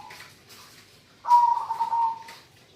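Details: Local zebra dove singing: faint soft notes, then one loud sustained wavering coo held for about a second.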